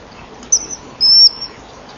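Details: A common kingfisher calls from the front perch at a breeding-wall camera at 14:00 on 18 January 2013, as a robin lands on the rear perch: a brief piercing whistle, then a longer, thin, slightly falling 'tiiih' over faint hiss.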